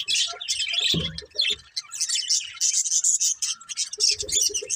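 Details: Happy pet budgies keep up rapid, high, buzzy chirping and warbling, broken by a short low thump, then a quick run of soft repeated low notes near the end.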